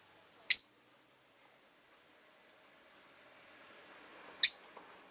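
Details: Two sharp, piercing chirps from a rosy-faced lovebird, about four seconds apart, each short and bright, with quiet background between.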